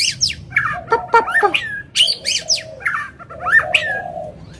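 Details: White-rumped shama in an agitated, non-stop song meant to provoke other birds: harsh chattering bursts and sharp downslurred notes, with a lower buzzy strand running beneath the bright phrases.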